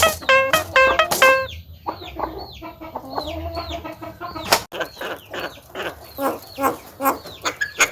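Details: Caged Javan myna at home, able to imitate coughing, laughing and calling to girls, produces a varied stream of nasal harmonic squawks, chuckling notes and arched whistles, with a sharp click midway.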